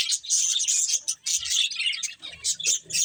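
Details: Budgerigars at play give a quick run of bright, high chirps and warbles blending into one busy chatter, with one short break before resuming.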